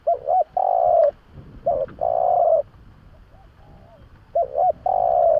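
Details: Spotted dove calling, a recording meant as a lure to attract doves: three phrases of two brief hooting notes followed by a sustained, slightly falling coo, with faint thin chirps from another bird and soft rustling background between phrases.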